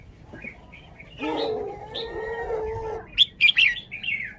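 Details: Red-whiskered bulbul song style: light chirps, then a steady low hum for a couple of seconds, after which loud, bright warbled notes burst out and end in a short rolling phrase.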